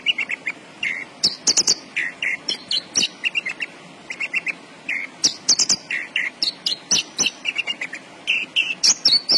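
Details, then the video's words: Busy, vigorous song of a Javan bush lark (branjangan): long sequence of quick chirps, lower whistled slurs and high sharp notes, tightly packed with only brief breaks. "BURUNG BRANJANGAN GACOR"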